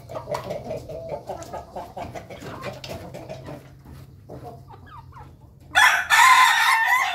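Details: In a coop, a flock of Ayam Ketawa chickens feeds together; steady low clucking chatter runs for about five seconds before a sudden loud, rough, drawn-out crow breaks in near the end.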